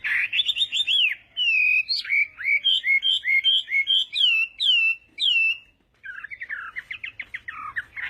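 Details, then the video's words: Hwamei singing in a contest as morning voice practice, delivering a long fluent run of loud clear whistled notes, each sliding up or down, repeated rapidly, then a brief pause and a quicker trilled series. "Hoạ Mi Hót Đấu /hoạ mi hót sáng luyện giọng"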